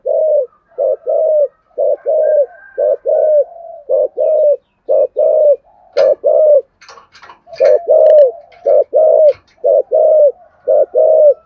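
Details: A decoy spotted dove calls with rapid 'thúc gù' cooing: runs of hollow low coos, a brief break mid-sequence with scattered clicks and chirps, then the steady cooing resumes.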